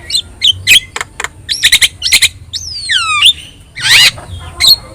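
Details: Yellow-eyed Javan myna singing hard as training audio for other songbirds: scratchy clicks and chatter, a clear whistle sliding steeply downward, then a loud grating burst and a final whistle.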